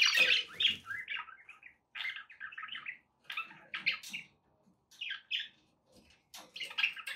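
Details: Pet budgies warbling to encourage a parrot to sing; a loud, harsh chatter opens, followed by phrases of buzzy twittering notes about a second apart, separated by short pauses.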